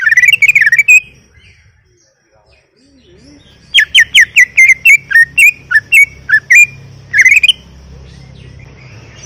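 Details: Greater green leafbird singing steadily in captivity: an opening twittering phrase, a quiet gap with a faint soft note, then a run of loud, crisp whistled notes, alternately rising and falling, ending in a brief high flourish.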